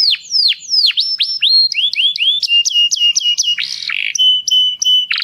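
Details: A canary sings a fast, bright run of high swooping notes, then switches to rapid buzzy trills and repeated chirped phrases, with no other sounds.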